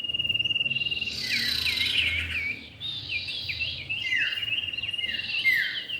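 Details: Male and female common iora together: a steady high whistled tone under bursts of quick chirping, slurred notes dipping and rising in rapid runs, a short pause, then more twittering phrases.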